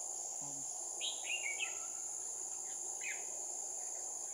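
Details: Red-whiskered bulbul decoy singing at a trap to lure a wild flock down, recorded 7/1/2018; a few short whistled notes rising and falling, over a loud, steady high insect buzz.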